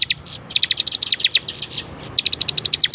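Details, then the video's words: High, rapid chipping series from a bar-winged prinia on a training master track, two dense runs of sharp repeated notes split by a short gap, over faint low hum. "masteran 100% terbaik burung ciblek gacor"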